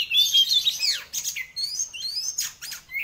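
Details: White-rumped shama belting out a loud song of sweeping whistles, downward slurs and buzzy high notes, ending on a clear rising whistle.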